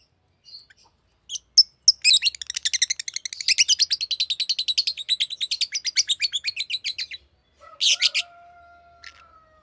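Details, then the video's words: Green lovebird chirping: a long rapid run of sharp, high, buzzy chirps lasting about five seconds, then a brief pause, a harsh burst and a faint thin whistle at the end. "Green Lovebird Chirping Sound"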